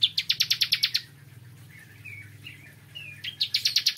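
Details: Morning song of a bar-winged prinia, a rapid burst of high repeated chips, a pause with a few soft thin whistles, then another quick chipping series, over a faint low hum.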